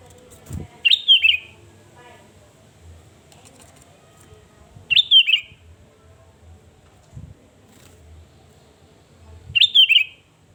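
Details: Sooty-headed bulbul song used as a lure to provoke rivals, a short liquid whistled phrase repeated three times about every four seconds, with soft thumps and low background noise between phrases.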